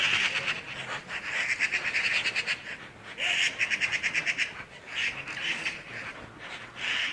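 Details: Birds calling in Skardu, Baltistan: bursts of rapid, harsh chirps repeated in quick clusters every second or so, over a steady broadband hiss.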